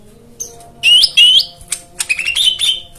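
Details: Prompting song for caged white-eyes that have gone quiet: two loud, clear rising whistles, followed by a string of softer chips and a wavering whistled phrase, with a faint hum behind.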